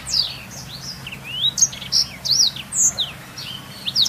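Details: High, lively blackthroat song meant for teaching canaries: continuous chains of thin whistled notes, sharp V-shaped slurs and quick chirps, steady over a faint low hum.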